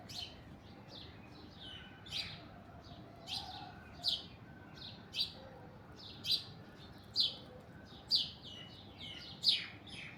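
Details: Alexandrine parakeet perched on an orange tree, giving harsh, high screechy calls, about nine over ten seconds at uneven intervals, against a steady low background hum.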